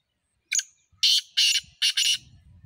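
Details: Black francolin calling close by: one short harsh note, then three loud, grating double bursts in quick succession, each rasping and high-pitched, over a faint low rumble.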